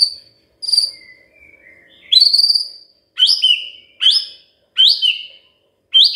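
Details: Magpie-robin used as a lure for a quiet bird: a few soft whistles, then loud, sharp upward-swept whistled notes repeated about every second.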